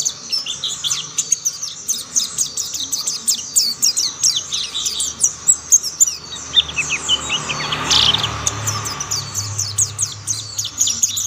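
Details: Chorus of mountain white-eyes, other birds joining the singing; busy high twitters and quick descending whistles, with a brief louder rushing burst midway and faint low background noise.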